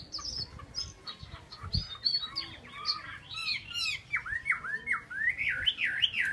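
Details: Chinese hwamei singing: quieter varied twittering building into rapid repeated rising-and-falling whistled phrases toward the end.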